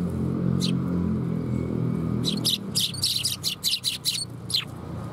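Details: Sparrows coming to be fed at a Tenmangu shrine, 30 September 2021: after a quiet start over low traffic rumble, a burst of sharp, clipped chirps, about ten in quick succession over two seconds, then a final lone chirp.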